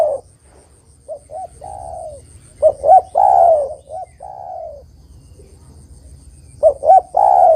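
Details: Spotted dove singing actively, a recording meant to lure and trap birds and provoke rivals to answer. Soft short coos lead to a louder doubled note and a long, falling, mellow coo. The phrase recurs after a pause.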